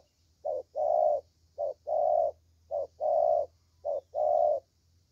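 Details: Young Vietnamese spotted dove with a fine 'thổ' voice. Four regular phrases each pair a short soft coo with a long steady coo, spaced about a second apart, over a faint low hum.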